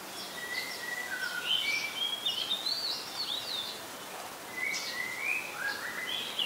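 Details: Singing Oriental magpie-robin, a very common resident, in Ubon Ratchathani, Thailand, 26 July 2022, recorded on a Nikon P1000: a steady run of clear, sweet whistled notes, some sliding up or down, over soft background hiss.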